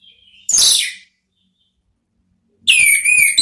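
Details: Orange-headed thrush, ngeplong style therapy song meant to draw thrushes into replying: a short, harsh, high burst, a long pause, then a clear whistled phrase sliding downward with wavering overtones.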